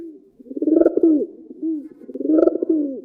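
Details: Pigeon giving two deep, rolling coos about two seconds apart, each swelling then falling away, with soft low murmuring between them; these deep rhythmic rolls are the group call of this gregarious bird, resonated through its air-inflated throat.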